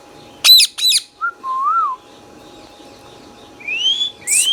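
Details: Pet green Indian ringneck parakeet giving two harsh, ringing squawks, then a short whistle and a wavering whistled note, followed by two rising whistles and a final squawk, in a quiet room.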